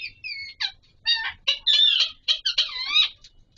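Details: Alexandrine parakeet (Pahari Kashmiri parrot) calling during mating: a run of squawks mixing rising-falling harmonic whistles with harsh broken screeches, building into a longer continuous burst near the end.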